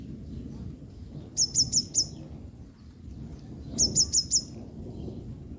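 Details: Yellow-bellied sunbird, a female drying herself after being drenched in rain, calling: two quick bursts of four high, sharp, evenly spaced chirps, about two seconds apart, over a low steady background rumble.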